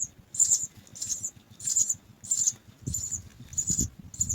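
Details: Three house sparrow chicks in a nest, waiting to be fed, give shrill, very high begging cheeps in short bursts about every 0.6 seconds, over a soft low rumble.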